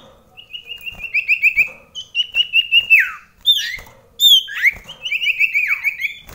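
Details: Common iora, caged indoors at close range, singing in a head-to-head contest with another bird: rapid trilled whistle series near one pitch, sliding downward notes and sharp upswept whistles, several phrases overlapping across the clip.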